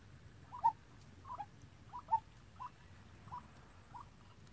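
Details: Decoy white-breasted waterhen being trained to call on its own, the call used as a lure for bird trapping; short mid-pitched nasal notes, some doubled, repeated roughly every 0.7 seconds over a low background rumble.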